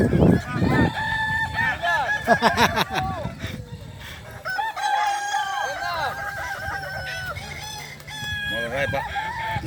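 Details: Kukuak Balenggek roosters crowing in the final of a class boko crowing competition at Sirukam Dairy Farm, Solok regency; several overlapping arched, multi-note crows with a voice at the start.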